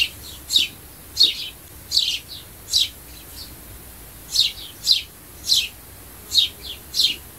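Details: Sparrow calling to attract birds: repeated bright, falling chirps, sometimes paired with a softer follow-up note, about twelve calls over seven seconds, background quiet.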